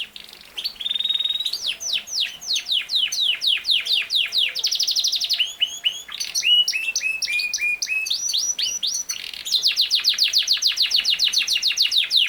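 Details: Yorkshire canary, known as king size canary, in full song: rapid repeated trills of sharp downward-sweeping notes, a buzzy rattling phrase, then rolling upward whistles and a fast even trill, loud and continuous.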